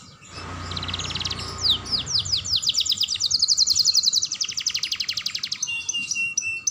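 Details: Young canary used to stimulate other canaries, starting after a brief rumble of background noise with swooping whistles, then a fast sustained trill and mixed high chatter.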